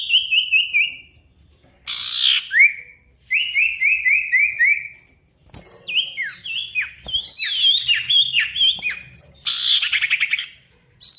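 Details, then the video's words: Ashy tailorbird singing loudly for use as a lure against rivals: strings of short descending whistles in fast series, a harsh buzz, then a long, varied run of dipping whistled notes. "PANCINGAN SIRTU GACOR MANGGIL LAWAN COCOK UNTUK SIRTU DIAM AGAR CEPAT BUNYI DAN GACOR"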